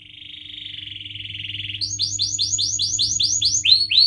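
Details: Vigorously singing canary used as a tutor for young birds: a steady, swelling high trill runs nearly two seconds, then switches to a crisp series of repeated downward-slurred whistles, about five a second, with a low background hum.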